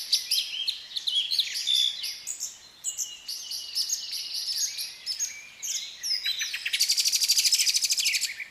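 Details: Captive African lovebirds of different colours, a busy mix of shrill, squeaky chirps and short whistled notes, ending in a fast, rapidly repeated buzzy chattering trill.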